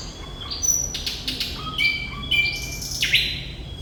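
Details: Thrush nightingale in full 'gacor' song: sustained whistles broken by rapid buzzy bursts and clicks, ending in a loud downslurred harsh note. A low background rumble runs throughout.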